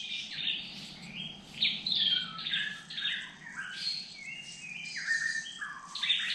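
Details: Dark-necked Tailorbird at a forest drinking pool in Kulen National Park gives a rapid run of high, buzzy chirps and sliding notes that rise and fall, with several birds seemingly calling together.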